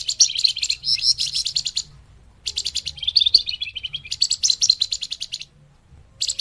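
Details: Flamboyan, the scarlet minivet, heard in a bird-trapping lure: energetic high chattering runs and a falling twittered phrase, separated by a silent gap of about half a second.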